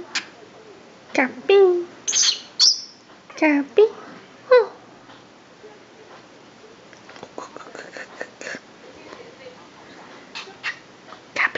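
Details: Pet Senegal parrot says its own name, Kabi, for the first time, in a squeaky, nasal voice: about five loud two-syllable words over four seconds, followed by soft clicks and chirps.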